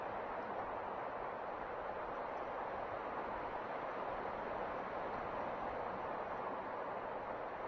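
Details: A constant broadband roar of wind or water continues without pause, and no animal voice stands out.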